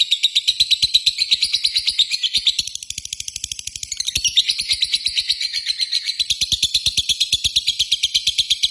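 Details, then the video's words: Lovebird keeping up a long ngekek trill: fast, buzzy, high chattering pulses in a continuous run, dipping briefly in loudness midway before resuming strongly. "Pancingan suara burung Lovebird ngetik memanggil di lanjut ngekek panjang"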